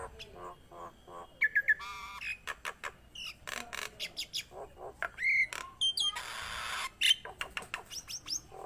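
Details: Nias hill myna in full song: scattered harsh bursts, clear piercing whistles that dip and rise, and a long hissing buzzy note mid-sequence, with short clicks between phrases.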